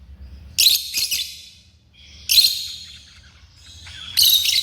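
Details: Pet African lovebirds producing high, harsh squealing notes, a doubled burst then single shrieks about every one and a half seconds, with quieter chirps and a low hum beneath.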